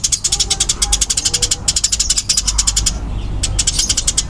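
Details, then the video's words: Fighting-type Eurasian tree sparrow calling fast and densely: a long rapid train of crisp high chirps for about three seconds, a short pause, then more chirping, over a low steady hum. "Suara Burung Gereja Tarung Kencang dan Rapat"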